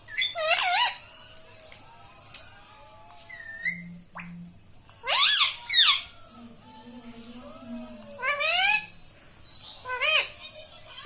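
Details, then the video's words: Pet parrot said to speak words such as "mitthu" and "mummy". Bright, harmonic squawks come in short clusters spread over the clip, with soft humming tones and quiet room sound between them. "Bolne wala tota - tota talk - mummy bolne wala mitthu - talking parrot"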